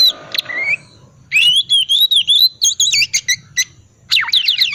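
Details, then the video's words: Oriental magpie-robin singing in the ngriwik manner, offered as a lure for silent birds: a short rising whistle, then a sustained wavering whistled phrase, quick trills and a final burst of steeply falling squeaky notes. "pancingan kacer tipe dingin ngriwik wiksar sangat cocok buat terapi kacer agar cepat bunyi dan gacor"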